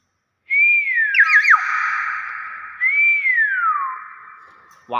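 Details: Common hill myna: a loud whistle that rises and falls, a quick warbled flourish, a long buzzy held tone, then a second rising-falling whistle. It ends with a brief voice.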